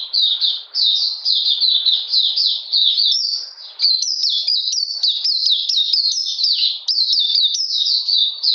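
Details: Oriental magpie-robin singing in cold, rainy weather on 13 June 2020: a rapid, unbroken stream of high, slurred whistles and chattering notes, short motifs repeating about twice a second, with a brief pause near the middle.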